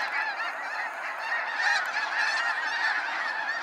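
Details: Snow geese departing in waves at sunset, Sacramento National Wildlife Refuge: a constant roar of overlapping honks and yelps, swelling a little after the first second and a half.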